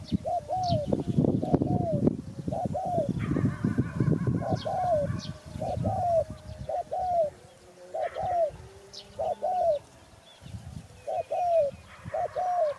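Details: Spotted dove giving repeated hooked coos, often in pairs, steady through the recording, with loud low rumbling at the start and a brief buzzy higher sound from another source midway.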